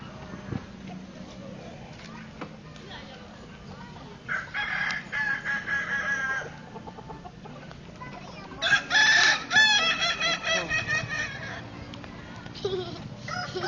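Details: Kukuak Balenggek roosters in a crowing contest in Solok city. Two long, segmented crows with stepped, pulsing harmonic notes, the second louder, over a steady crowd murmur and background noise.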